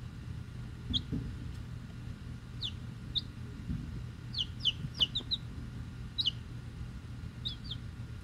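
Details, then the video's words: Week-old chicks, eleven in all (eight Rhode Island Red, two Black Sumatra, one unknown breed), shipped already hatched: scattered high, downslurred peeps, singly and in quick pairs, over a steady low rumble. "Week Old Chicks"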